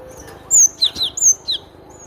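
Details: ['Cinereous tit singing a short phrase of crisp, high whistled notes that alternate between a higher downslurred note and a lower one, five notes within about a second, against a quiet background.']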